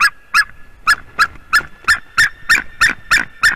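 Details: Wild white-tailed eagles (Haliaeetus albicilla) at their nest in Latvia, a pair mating on 10 March 2020 at 11:47 am; loud, sharp yelping notes repeated about three times a second in a regular, slightly accelerating series.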